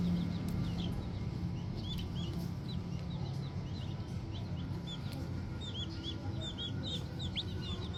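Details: Green junglefowl chicks, young, keeping up soft high chirps that cluster into quick runs, with one louder rising peep near the close, over low steady humming noise.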